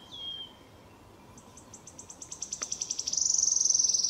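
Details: Wood warbler in Lübeck, Germany, on 13 May 2023, sings a run of high, thin 'sip' notes that speed up and melt into a shivering, metallic trill, after a brief high call at the start.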